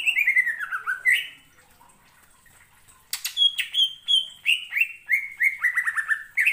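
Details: Song of a greater green leafbird, stirred by another bird's singing: a burst of descending chattered whistles, a pause of nearly two seconds, then a sharp buzzy note followed by bright slurred phrases falling in pitch, repeated rapidly.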